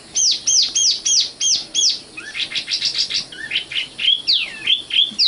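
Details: Common nightingale, Luscinia megarhynchos, known in Indonesian as sikatan londo, singing: six loud, sharply falling high whistles in a row, then a fast run of clipped notes and swooping phrases.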